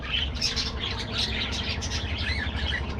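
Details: Budgies kept as an aviary colony keep up continuous high twittering and scratchy squeaks, many voices blended together over a strong low-pitched hum.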